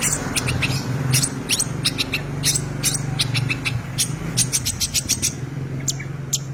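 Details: Long-tailed shrike singing vigorously in full, rich 'isian' style: a dense run of sharp, high, scratchy notes in quick, uneven succession over a steady low hum.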